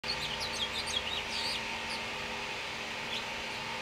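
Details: House finch nestlings in a nest built in a front-door wreath in Utah, being fed by their mother; thin, high chirps in quick irregular bursts during the first two seconds, over a steady low hum.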